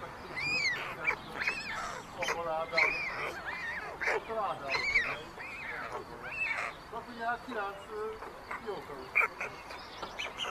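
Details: White storks at their Hungarian chimney nest in Ságvár, 22 May 2024, with siblings stealing the youngest chick's food: a busy stretch of many harsh, arching calls, often stacked and overlapping, repeated throughout, with background hiss.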